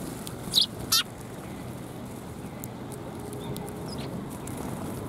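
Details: Puffed-up sparrows in winter, recorded on 1 February 2021: two sharp, high chirps close together within the first second, then a quiet background with faint distant ticks.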